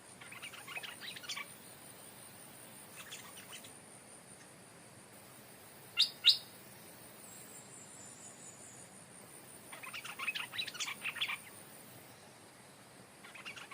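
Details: Decoy stripe-throated bulbul, never previously in the forest, brought back to its old home and calling to a new territorial resident. Scattered chattering bursts are heard, with two sharp loud clicks in the middle.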